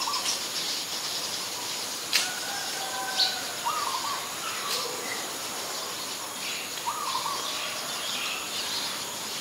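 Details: Ashy Woodswallow in Ubon Ratchathani, Thailand, 25 February 2022, a very common resident there: a pair of brief mid-range calls a few seconds apart, with sharp clicks near the start and a steady high hiss throughout.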